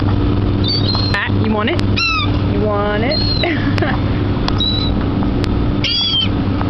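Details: A crowd of seagulls at a dock while being fed: harsh laughing calls with stacked tones and thin high squeals from several birds, over a continuous low engine rumble.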